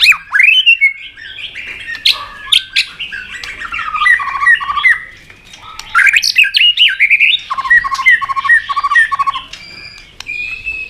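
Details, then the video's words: Fighting song from a white-rumped shama provoked to sing intensely, tail flicking on its perch, in competitive song training. A long, dense, varied warble with repeated rapid chattering phrases and clear whistles. "Chòe Lửa Đánh Đuôi Sàn Cầu Kích Lửa Hót Căng. luyện Chòe lửa hót đấu."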